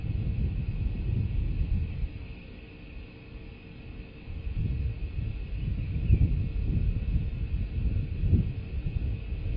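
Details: Low outdoor rumble, like a distant vehicle or wind, swells and fades, with no animal calls heard.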